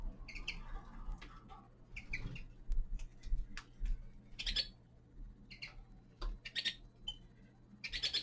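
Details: Winter song of a young male common linnet, a busy twitter of sharp, clipped notes in irregular bursts, some rapid trills near the end, over a constant low electrical hum.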